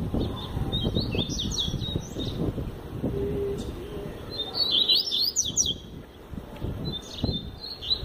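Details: Tui Tui Zel Zel song of a double-collared seedeater, with bright, high, clipped whistles in rapid phrases. A dense, trilling flourish comes near the middle and a shorter phrase at the end, over a steady low rumble.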